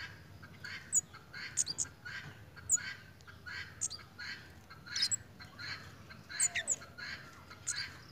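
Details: Malaysian pied fantail in breeding condition, acting playfully, giving short, scratchy, squeaky notes in irregular bursts with thin high chips mixed in, repeated every second or so.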